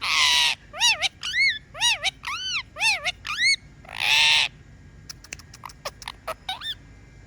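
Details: Talking pet parrot: a harsh squawk, a steady run of six arched whistled notes, a second squawk, then soft clicks and thin chirps.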